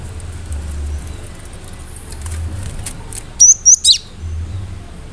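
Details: Cinereous tit (gelatik batu) giving sharp song bursts meant to provoke other birds; after quiet, three loud, thin, high whistled notes in quick succession, each briefly rising, with soft low hum behind.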